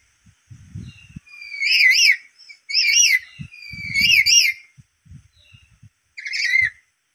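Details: A black-capped lory, provoked by a lure sound, gives four bursts of loud, shrill, wavering screeches, each about half a second long, with low thumps and knocks between them.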